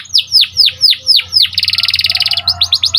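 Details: Panda canary in full song, recorded as training material to prompt other canaries: a run of loud, sweeping downslurred whistles, then a fast, buzzy rattling trill, ending with quick rising chips.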